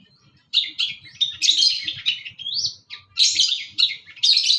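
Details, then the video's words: Gacor full isian song of a long-tailed shrike in East Java, Indonesia: bursts of harsh, buzzy chatter alternate with a smooth rising whistle, phrases arriving roughly every second. "pentet gacor | cendet gacor full isian"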